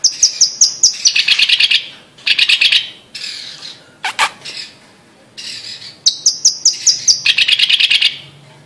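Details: Blue-masked leafbird, a Sumatran montane forest endemic, delivering a lively song of fast high repeated ticks leading into scratchy chattering warbles, with one sharp descending call in the middle.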